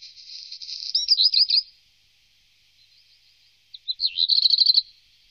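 A Black Redstart sings two short, high phrases about three seconds apart, each a scratchy, crackling rattle run together with brief whistled notes.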